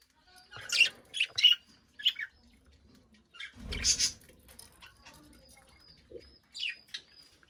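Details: Budgerigar chirping in its cage: a quick cluster of high chirps early on, then sparse squeaks, with low thumping and rustle in between.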